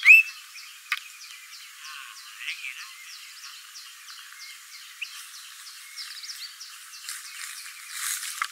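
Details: White-browed fantail (Rhipidura aureola) song: a high whistled note, then a run of short, thin chirps repeated every third of a second, over faint chirping frogs or insects.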